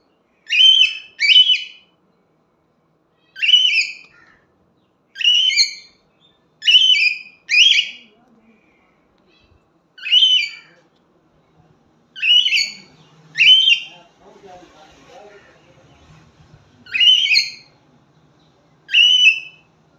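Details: A cockatiel (Nymphicus hollandicus) gives loud, shrill whistled calls, often doubled, repeated every second or two.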